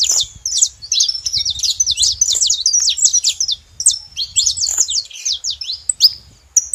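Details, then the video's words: Saffron finch producing a long, excited run of thin, high chirps and slurred notes, nearly continuous with one short gap. "Canário da terra fazendo barulho"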